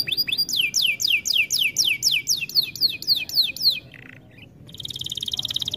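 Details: Canary song used in training, a loud regular series of steep descending whistled notes about four per second, a short low buzz, then a quieter fast rattling trill.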